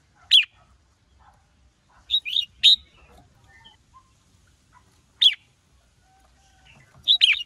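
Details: A female red-whiskered bulbul rousing a male to sing; bright abrupt whistled notes, single and in twos and threes, arrive in irregular clusters separated by pauses of one to two seconds, over a low faint background murmur.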